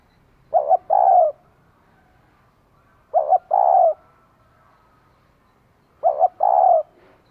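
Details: Spotted dove hen calling to excite a male: three double-hoot-and-coo phrases, evenly spaced about three seconds apart, mellow and low-pitched over a quiet background.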